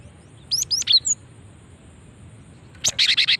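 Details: Female cinereous tit call meant to attract other birds: four thin, high, descending chirps, then after a pause a rapid buzzy series of five clipped notes.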